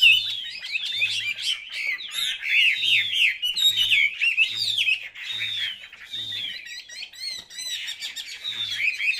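A Chinese hwamei sings a rich, rapid run of loud whistled and slurred phrases, rising and falling with varied notes; a low regular thump sounds beneath.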